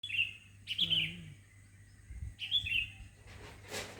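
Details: Bird singing in the morning in front of a house: short, high, slightly descending warbled phrases repeated every second or two, with faint background noise and a brief rustle.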